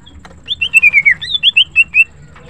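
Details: Morning song of a green cucak, the greater green leafbird: a fluent run of about ten clear whistled notes, each sliding downward, delivered rapidly over under two seconds.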